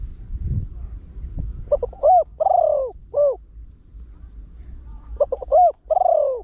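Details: Trained spotted dove with a deep voice, used to lure wild doves, crowing in the rapid 'khan yon 1 kuk' style: two bursts of stuttered short coos leading into a long drawn, falling coo and a closing note, with low rumbling noise early.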